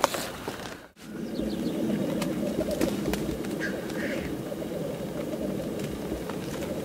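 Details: Several black grouse in lek display, a dense chorus of overlapping bubbling coos forming a constant rolling murmur, with a brief hissing note and scattered clicks, after a short dropout at the start.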